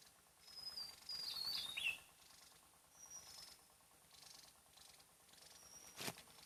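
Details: Javan tesia, a small bird found only on Java, calling in the wild: a burst of very high, thin whistled notes slurring downward, then a few short faint high notes over soft steady rustle; loud, carrying far.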